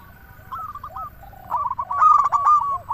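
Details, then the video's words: Local zebra dove in lively song, used as a lure to draw doves and prompt them to sing: short soft coos break into a louder, rolling, tremulous cooing phrase that ends in a fading note. "Perkutut lokal gacor suara paling ampuh untuk pancingan burung perkutut agar bunyi"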